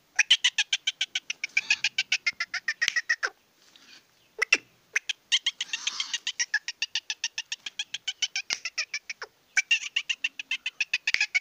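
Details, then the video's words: Sindhi black francolin, a young male in excited mood, utters long runs of quick clicking pulses. A short pause falls near four seconds, with scattered single notes, and then the rapid chatter resumes. "سندھی کالے تیتر کے پٹھے کی مستی"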